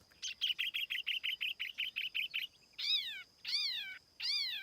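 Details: Tiểu mi laughingthrush song used as a lure, recorded without background noise: a fast series of about a dozen short chirps, then three loud, drawn-out, rising-then-falling whistled notes.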